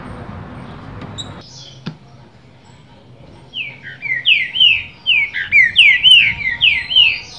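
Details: Captive rufous-bellied thrush singing in reply to another bird at the same place: a brief low rumble and a click, then a fast run of clear whistled notes sliding downward, repeated about three per second and growing louder.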